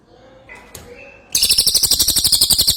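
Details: An actively singing ashy tailorbird: after quiet faint chirps, a sudden loud burst of rapid, sharp, high repeated notes, about four per second, continuing to the end.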